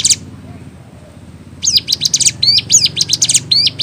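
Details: Ciblek gunung in vigorous song with unique variations: a brief burst, a quiet pause, then rapid high sharp chirps and bent whistled notes about three times per second, over faint low background hum.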